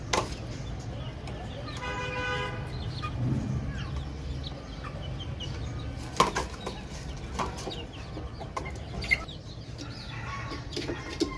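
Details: Baby chicks chirping, with a longer harmonic trilled call early on, then scattered high peeps, a few soft knocks and a low steady hum.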